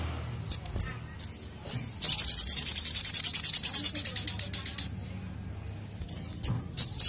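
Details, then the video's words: Olive-backed sunbird in full song, delivering its rapid 'nembak' style: a high, fast trill of about twenty sharp notes lasting two seconds, framed by scattered thin chips before and after. "SOGOKONTONG (SOGON) Gacor Nembak"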